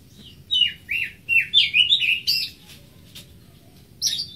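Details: Greater green leafbird singing a quick run of varied whistled and warbled phrases that rise and fall, about six phrases packed into the first two and a half seconds, a short pause, then one more bright phrase; faint low hum underneath.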